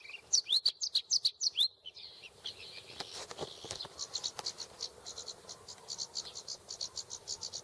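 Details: Bluethroat (Luscinia svecica) recorded 8 June 2017 gives about six loud, high sweeping notes in quick succession, then a rapid run of thin, ticking notes.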